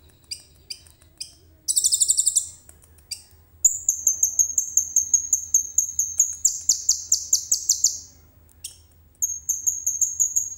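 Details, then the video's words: Common iora song filled with cililin phrases, captured by phone camera: a few high chips, a harsh buzzing rattle, then a long run of thin whistled ticking notes ending in a rattle and more piping notes. "KONIN GACOR FULL ISIAN CILILIN JERNIH"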